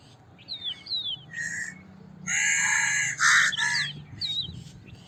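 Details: Crow cawing roughly twice in a row, loud and grating, preceded and followed by quick high chirps and squeaks from other birds.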